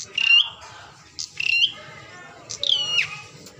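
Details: Bar-winged prinia singing in response to a mirror placed as a lure: three sharp, slurred chirps, each a bright sweeping note with quick harsh overtones, spaced about every 1.2 seconds, with faint low background hum.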